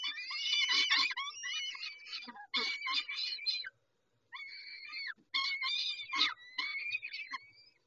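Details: Peregrine falcons calling while being fed at Dobra on 19 May 2021 at 11:48: rapid, rasping screeches in loud clusters, a short pause, then whiny drawn-out wails and more grating calls.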